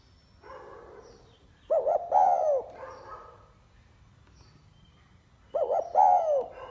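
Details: Spotted dove delivering 'pha kim' style song: two loud phrases about four seconds apart, each a pair of brief looping notes and a longer sliding coo, with softer distant cooing and light hiss between.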